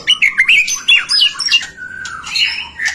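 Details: White-rumped shama song used to stimulate other shamas: rapid, scratchy high notes and squeaky chattering, with a thin drawn-out whistle in the middle.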